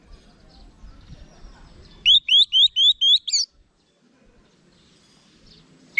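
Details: Orange-headed thrush giving a tight series of six or seven sharply rising whistled notes, evenly spaced in little over a second, then a short silence.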